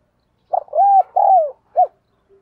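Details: Decoy spotted dove trained to coo rapidly to lure and provoke wild doves; a brief note, two long mellow arching coos, then a short clipped final note, all in quick succession against a silent background.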